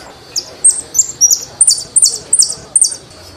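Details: Jilguero argentino, the Saffron finch, delivering a steady series of high, bright downslurred notes, about three per second, each with a sharp attack and falling tail.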